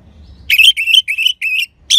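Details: Orange-headed thrush song in Singaraja, North Bali, described as crystal-clear and used to draw out sluggish or silent birds: four quick warbled whistle phrases in close succession, each about a fifth of a second, with the start of a fifth at the end.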